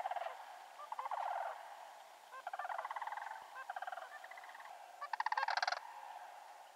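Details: Sandhill cranes along the road to Canoe Creek, British Columbia, give loud, rolling, rattling bugles in four bursts, each about half a second to a second long, with no other clear sounds.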